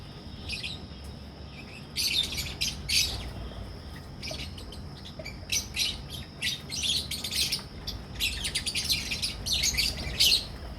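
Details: A Pakistani colony breeding setup of albino and personata red-eyed lovebirds: scattered single chirps, then loud runs of shrill rapid twittering from several birds at once, separated by short lulls, over a faint constant hum.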